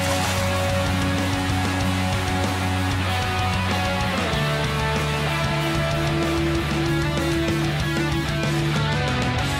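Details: Loud, distorted electric guitar music with heavy bass fills the whole stretch, and no animal voice stands out.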